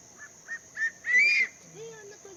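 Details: On Ishigaki Island, Okinawa, on a fine December day, a crested serpent eagle calls from a prominent perch to claim its territory: three short whistled notes, each louder, then a long ringing squeal, over a steady high insect hiss.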